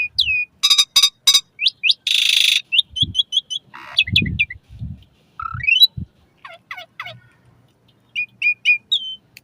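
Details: Asian pied starling singing, used as a training lure for caged starlings in the morning or evening: clipped whistles, a long harsh rasp, rising squeaks and spaced repeated chirps, with low thuds between.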